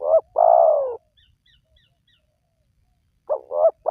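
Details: Spotted dove used as a lure to get wild doves calling: a long, rough, falling coo, then quiet with faint high chirps, then two short coos opening the next phrase.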